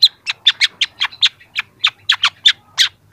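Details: Young long-tailed shrike beginning to bring out its mimicked song phrases, used to prompt young birds to answer: a fast series of about fourteen short, harsh, buzzy chattering notes, fairly evenly spaced, on a quiet background.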